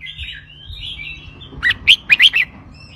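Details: Caged red-whiskered bulbul singing a sweet 'bern roi' style phrase, used to stir up other birds: after soft, faint background warbling, five loud, quick, bubbly whistled notes tumble out near the end, over a steady low hum.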